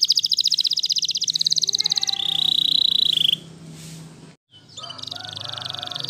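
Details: Waterslager canary singing a fast pulsed trill that drops into a smooth rolling tour, breaks off into near silence for about a second, then resumes with another quick buzzy trill; low hum underneath.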